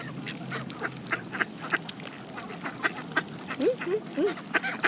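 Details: Canada geese feeding on seeds alongside mallard ducks; rapid dry clicking and pecking noises fill the background, then three short arched, nasal honking notes come in quick succession near the end.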